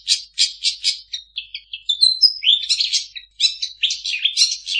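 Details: Mimicking long-tailed shrike, its song stuffed with copied calls of other birds: rapid repeated chirps, a thin whistled run, then dense twittering and scratchy warbles without pause.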